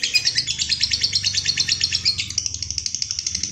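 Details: Shrill, fast lovebird 'ngekek' trill, played to provoke and train other lovebirds: tightly packed chattering pulses that thin out slightly after two seconds, with a low background hum.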